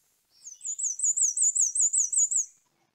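A Black-and-white Warbler sings a high, thin series of about eight squeaky two-note phrases, evenly paced like a turning squeaky wheel.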